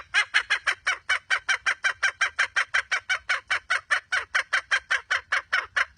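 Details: Red junglefowl hen: an unbroken stream of coarse, clipped clucks, about four to five per second, all similar in loudness, keeping a steady rhythm with a quiet background.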